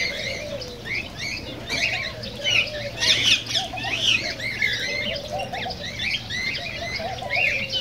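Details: Cockatiels chattering, a recording meant to stimulate mating and singing: many overlapping squawky, warbling chirps with rising and falling slurs, continuous and busy, with a lower wavering whistle underneath and a faint steady hum.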